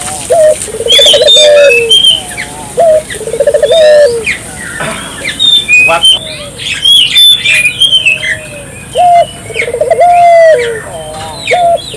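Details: Gacor-style calling of a Barbary dove (burung puter), a lure to stir local doves to call. Low trilled coo phrases recur roughly every three seconds amid loud chirping, squawking and whistling from other birds.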